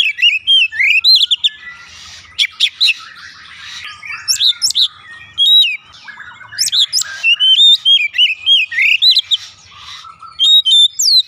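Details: Oriental magpie-robin song used as a lure to set birds singing: a fast, varied stream of high whistles, sharp upslurred and downslurred notes and short trills, with brief gaps between bursts and faint low murmur beneath.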